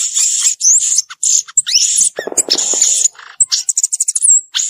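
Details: In the wild, a violaceous euphonia runs through buzzy high phrases, rising slurs and rapid stuttering chips, with a short lower rattling passage in the middle.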